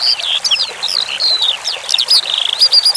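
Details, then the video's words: Branjangan skylark in a masteran training recording with flowing water: a brisk jumble of high, thin whistles and chirps, some rising and some falling, with steady water trickle in the background. "Masteran Suara Branjangan Sky Lark"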